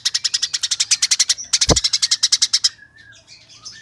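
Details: Eurasian tree sparrow in a fast 'nyerecet' chirping run, recorded as tutor material for competition birds: two quick strings of shrill chirps, a dull thump in between, then faint twittering after they stop.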